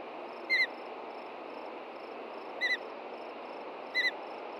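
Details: Ospreys at a nest in Hellgate Canyon, Montana, on June 2, 2014, after dark, alarmed by an intruding juvenile: sharp whistled double chirps with harmonics, three bursts over about four seconds, over a steady broadband hiss.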